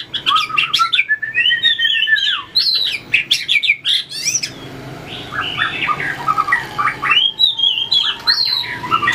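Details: White-rumped shama trained for contest singing, tail-flicking and hopping along the perch; long, fluty, rising and falling whistles with sharp interjected clicks, followed by varied chattering and warbled phrases.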